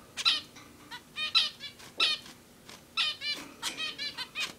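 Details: Captive male zebra finch building a nest for a female, giving short nasal honking calls with stacked harmonics, repeated irregularly about every half second to second, with faint rustling between calls.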